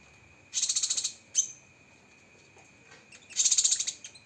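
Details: Cucak kinoi (lesser green leafbird), sharp 'tembakan' phrases for masteran: a half-second rapid high trill, a short sharp whistle, a pause with faint notes, then another fast rattling trill.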